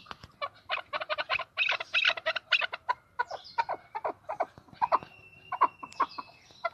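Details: Chukar partridges in Tajikistan, 2020, in a busy chorus of overlapping clucking chuk notes, bursts of rapid series with gaps, plus a thin sustained whistle in the background.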